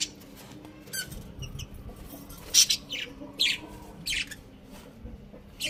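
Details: Budgies kept as pets chirp in brief, high, scratchy notes spread irregularly through a quiet indoor setting, some rising and some falling in pitch.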